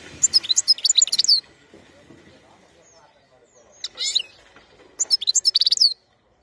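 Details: European goldfinch recorded in 2021, singing in separate bursts of rapid, high twittering and trilled notes about a second long. Near silence lies between the bursts, which come at the start, around four seconds and near the end.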